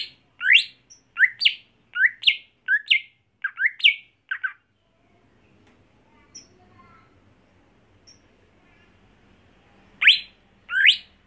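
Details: Home-raised captive greater green leafbird being trained for singing contests: a rapid run of sharp rising whistled sweeps, about eight notes in four seconds, then a quiet pause with faint chips before two more loud upswept notes.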